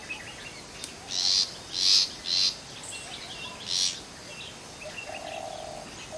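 A long-tailed shrike gives four harsh, rasping, buzzy notes, three in quick succession and one after a pause, with faint chirps from other birds behind.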